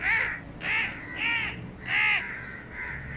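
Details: Crows give loud, harsh, hoarse, grating caws, about five in three seconds at an uneven pace, over a faint low rumble; the flock is screaming and mobbing after one of its members was caught by hand.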